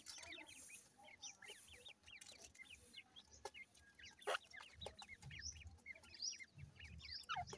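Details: A group of grey francolin chicks feeding, uttering scattered short high peeps and squeaks in irregular bursts, with clicks, rustling and some low background rumble.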